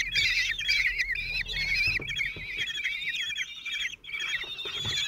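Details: Common kestrel family at the nest on 26 June 2023 in Théding, France: a lone father feeds four 16-day-old chicks. Dense, harmonic, wavering squealing calls run almost continuously, with faint knocks beneath.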